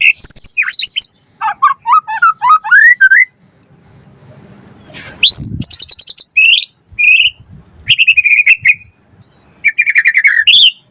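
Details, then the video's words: White-rumped shama song used as a lure to provoke other birds into singing: loud varied phrases of rich whistles, rapid stuttering trills and buzzy rattles, with sweeping slurred notes, separated by short pauses and a soft rustle. "Pancingan Murai Batu Langsung Nyaut Auto Bunyi Cpt Gacor Full Isian Buat Masteran Suara Burung Murai"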